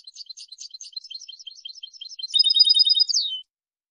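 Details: European goldfinch song recorded for tutoring: a rapid series of dry, repeated twitters, then a louder, sustained tinkling trill that ends in a falling note.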